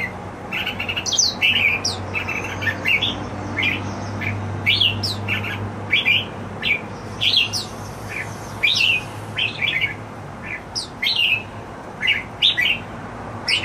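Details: Indoor pet red-whiskered bulbul in happy song, repeating short whistled and chirped phrases roughly every second, some notes sliding downward, with a steady low hum underneath.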